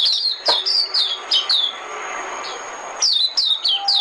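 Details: High, clear white-eye notes from a trapping decoy recording, each one a quick downward slur, delivered in tight repeated bursts with a short hushed gap between them.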